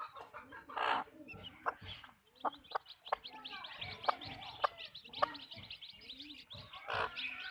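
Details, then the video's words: Backyard chicken farm hens giving scattered, clipped clucks and low murmurs, with a couple of louder, broader squawks and constant high twittering of small birds behind them. "Backyard chicken farm | chickens clucking | hens clucking"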